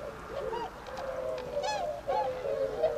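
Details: Tundra swans of a wintering flock at Otakara-da flood pond, Azumino, Nagano, Japan, on 22 February 2013, heading out to feed in nearby rice fields. Several birds give bugling, wavering honks that overlap and rise and fall.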